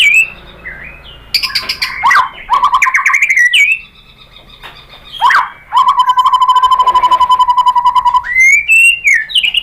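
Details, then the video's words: White-rumped shama singing as bait to stir a caged bird to reply: varied whistles and sharp notes, then a long, fast, even buzzy trill before clear rising whistled phrases return. "pancingan MURAI batu bikin EMOSI NYAUT GACOR BONGKAR MATERI ¦ SHAMA BIRD"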